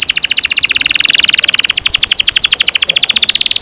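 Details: Canary singing in the long-rolling 'ngerol panjang' style, played to teach young canaries: a dense, fast, buzzy trill of very high notes that runs without a break, the pace shifting slightly midway.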